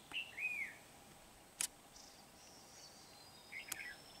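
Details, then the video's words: Red-whiskered bulbul used as a trapping decoy at Kim Bôi, Hòa Bình, Vietnam, 8 September 2019; a short whistled phrase that rises then falls, a loud click, then another quick warbled burst. "Bẫy chào mào Bổi Kim Bôi - HB quá sung"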